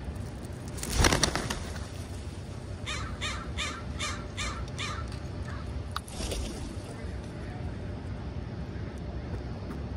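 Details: Crows in a pre-roost flock at a schoolyard close to sunset; a loud caw near the start, then a quick run of about six short, evenly spaced caws, over rumbling low background noise.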